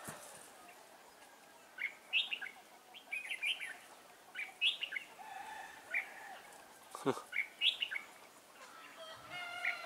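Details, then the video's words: Red-whiskered bulbul, a novice caged decoy singing to lure wild bulbuls into a trap, recorded 11 December 2016; short bubbly warbled phrases scattered through, with other faint chirps and lower calls around. "Bẫy chào mào Mồi tập sự ra trận"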